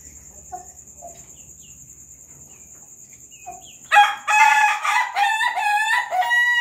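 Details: Laughing chicken rooster crows loudly at night in a long, stuttering run of rippling notes after a few soft clucks, kept with Bangkok hens; crow.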